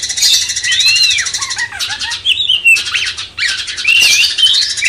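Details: Cucak cungkok bulbul song used as training material for magpie-robins: clear looping and arched whistles with some falling notes, over a steady high buzzing hiss throughout.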